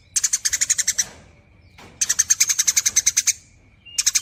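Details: Long nyerecet chatter from a Eurasian tree sparrow: dry, high, rapidly repeated chirps in one-second and one-and-a-half-second bursts with silent gaps between.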